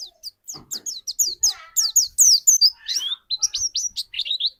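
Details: Lure white-eye to set off another white-eye's singing: a lively, varied twitter of high down-slurred whistles and buzzy trills, some notes swooping upward, delivered quickly with short gaps.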